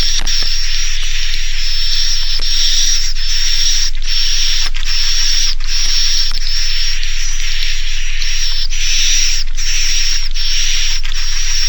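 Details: Swiftlet farmers' Naga Mas roosting sound for edible-nest swiftlets, to get young birds to stay overnight: long buzzy rasps broken by short gaps about every second, over a steady high whistling tone.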